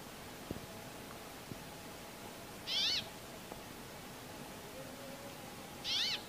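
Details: Brambling calling its mates: two nasal, wheezy, buzzy notes with a rising-then-falling arch, about three seconds apart, over faint background hiss and a few soft clicks.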